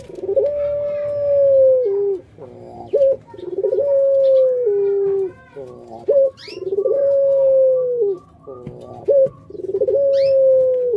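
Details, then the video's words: Indonesian puter pelung dove, a kept pet bird, repeating long coos. Each has a pulsed opening, then a sustained level tone that drops at its close, with short sharp notes between the phrases. "Puter Pelung"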